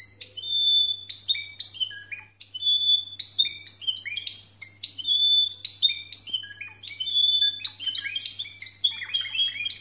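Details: Discontinuous Timbrado canary song from contest birds scored 92 and 93 points: clipped, ringing notes and short rolling trills in separate bursts with brief pauses, clear and strong above a soft background hum.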